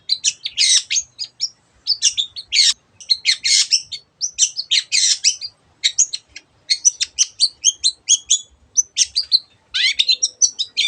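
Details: Long-tailed shrike singing energetically, the song packed with imitations of other birds: dense, varied chattering phrases of chirps, buzzes and quick whistles with only brief pauses.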